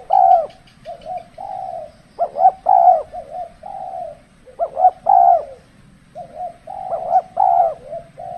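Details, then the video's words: Spotted dove decoy calling during extreme cold-season trapping; repeated coo phrases with quick upswept notes leading into held coos, alternating with softer short coos, faint higher chirps early on. "burung tekukur kalau musim dingin kurang bernyali termasuk pikat pun kurang agresif"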